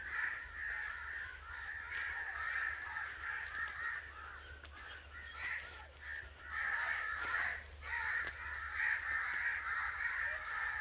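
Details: Crow cawing angrily, harsh nasal calls in uneven bursts, some clustered and some spaced, rising and falling in loudness over about eleven seconds with a soft low hum.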